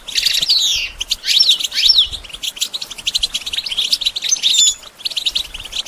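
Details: Continuous, lively goldfinch song for training songbirds, dense high twittering with sweeping whistled slurs and fast chirp series, barely pausing throughout.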